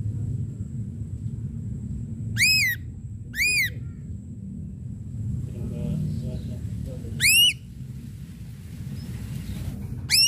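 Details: Lure song of an ashy drongo, sung to draw out sharp singing: four loud, arched whistled sweeps with bright overtones at uneven intervals, with faint murmuring and low rumble in between.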